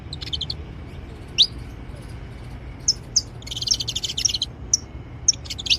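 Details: Saffron finches in the wild giving high, clipped chirps and a few rising notes, bunching into a quick chattering run midway, over a steady low rumble of background noise.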